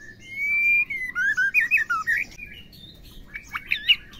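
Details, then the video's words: Female white-rumped shama calling to stir males into song: a drawn-out whistle flows into a rapid, looping warble, followed by quieter chips and a short, sharp flourish. "MURAI BATU BETINA PEMACU GACOR"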